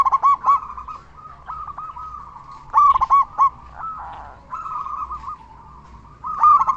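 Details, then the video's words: Local zebra dove, a loud frequent singer with a big voice, used as a lure to make other zebra doves sing: bursts of short, stacked, bubbling coos over a steady wavering cooing trill, with loud phrases at intervals. "Perkutut lokal gacor suara besar cocok untuk pancingan burung perkutut supaya bunyi"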